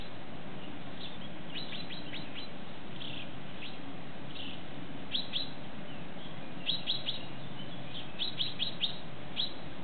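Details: Common chaffinch male feeding his two nestlings: faint, high, thin chirps come in loose clusters of two to four, spaced irregularly, over a steady low rumble of background noise.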